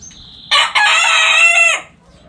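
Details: A backyard rooster gives one loud, rasping crow of about one and a quarter seconds that breaks briefly near its start and fades at the end. A high whistled note from another bird comes first, over faint low background noise.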